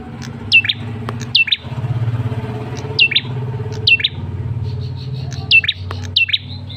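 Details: Red-headed tailorbird male calling as a lure for other birds: paired high chirps that fall sharply in pitch, given in bursts over a low rumbling engine-like background noise.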